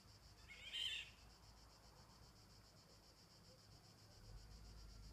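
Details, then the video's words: Eurasian golden oriole giving its call, recorded 25 July 2016: one brief, harsh, grating call near the start, over a steady high buzzing of insects. "cri d'appel Loriot d'Europe"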